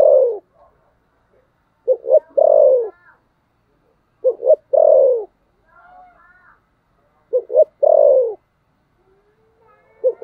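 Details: Spotted dove in a cooing contest, thổ sấm gù style, repeating its three-part phrase four times, roughly every three seconds: two quick hooting notes and one long falling note, with faint thin sounds in the gaps.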